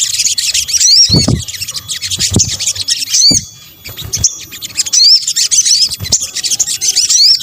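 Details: Sunbird sounds assembled to attract birds: continuous shrill, scratchy twitter with quick whistled upsweeps, a brief lull midway, and occasional dull low knocks.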